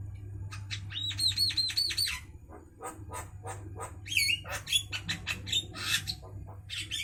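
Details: Javan myna singing at midday: a run of rapid, evenly repeated whistled notes, then harsh, buzzy squawks and scratchy chatter, over a steady low hum.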